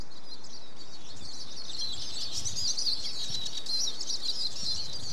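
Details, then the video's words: Eurasian siskin song: a continuous, dense twittering of rapid high chirps and short wheezy, buzzy trills, with a low rumble of background noise underneath. "Siskin Song"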